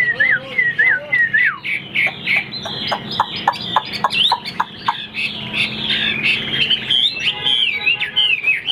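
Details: Caged Chinese Hwamei, said to keep its tail spread even when silent; whistled slurs, then a run of sharp downward ticking notes, ending in rich warbled whistles.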